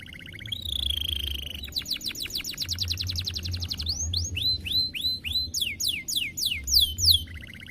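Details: Canary performing the 'semelet' style: a bright sustained trill, a fast run of repeated rising notes, then looping downward-slurred whistles repeated in quick succession, with a steady low hum beneath.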